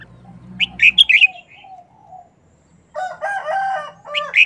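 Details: Red-whiskered bulbul sings a rapid phrase of sharp, bright whistles. Then comes a long, harsh, harmonic call from another bird, and finally a brief whistle.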